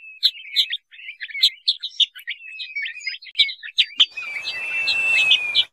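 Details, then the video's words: A male or female crested partridge (puyuh sengayan, Rollulus rouloul) lure call: quick, high chirping notes over a thin sustained whistle, with a hiss of static in the last two seconds; finding: quail. "suara panggilan burung puyuh sengayan atau peniol"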